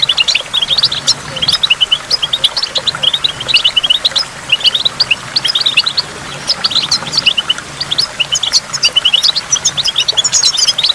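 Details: By a waterfall with dripping water, a goldfinch sings a lively, nonstop run of high tinkling twitters and buzzy trills in phrases of a few seconds, over a steady soft background wash.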